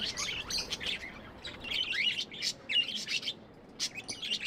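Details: Tame pet budgies giving continuous chattering chirps, a busy mix of high warbled notes, clicks and short whistles with brief pauses between bursts.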